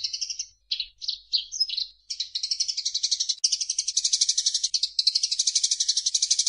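A Eurasian tree sparrow gives a few separate bright chirps, then breaks into fast, steady chattering of high, harsh notes, several per second.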